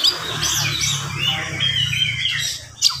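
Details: Oriental magpie-robin morning song in a quick, dense delivery aimed at rousing rival magpie-robins: harsh squawky notes mixed with slurred whistles over a constant low droning hum, and a sharp note at the end.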